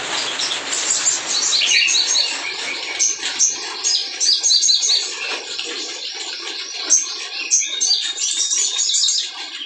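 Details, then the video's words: Spiderhunter singing energetically, used as a lure to provoke silent birds into singing; dense, rapid high chirps and sharp whistled notes tumble over one another almost continuously, with a slight background hiss. "SUARA SOGON GACOR"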